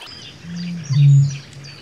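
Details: Eurasian bittern, a booming male on an England/Wales breeding site, gives a deep, hollow boom, a low foghorn-like note swelling and fading within a second, with faint small birds calling high above.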